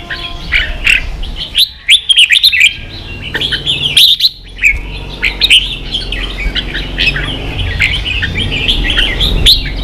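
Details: Red-whiskered bulbul song in "ché" style for training young birds: busy overlapping whistled and chattering notes with sharp clicks, steady low background rumble beneath the phrases.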